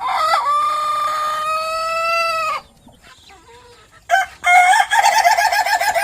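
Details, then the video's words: Owner-kept Ayam Ketawa laughing rooster from Meulaboh: one long, steady, strongly harmonic crow lasting about two and a half seconds, a short pause, then a second crow that ends in rapid, rolling, laugh-like pulses. "BEBERAPA VIDIO NGOKOK AYAM KETAWA MEULABOH"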